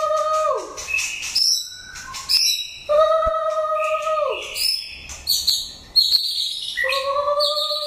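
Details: White-rumped shama, an older wild-caught bird, in training for competitive singing; loud varied song of downslurred low whistles alternating with high, bright warbled and rising notes and occasional sharp clicks, phrases repeating every few seconds.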